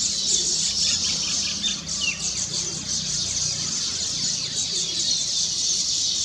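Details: A colony of weaver birds singing on their finished nests to celebrate, rapid high chirps and sizzling chatter blending into a constant chorus, one short rising note standing out, low traffic-like rumble beneath.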